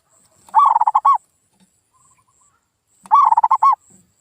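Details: Local zebra dove (perkutut) lure call, played to stir silent birds into answering: two loud cooing phrases about 2.5 seconds apart, each a quick run of stuttered notes ending in a rounded, drawn-out coo, over a faint high hiss.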